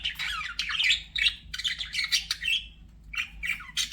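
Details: Pet budgerigar chattering rapidly, harsh squawky notes running into one another in dense bursts, with a short break near the end before the raspy chatter resumes.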